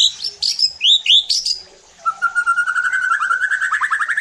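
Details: Song of a white-rumped shama, used to goad other shamas into singing: high sharp chirps and curling whistles, a short pause, then a long accelerating trill that climbs steadily in pitch.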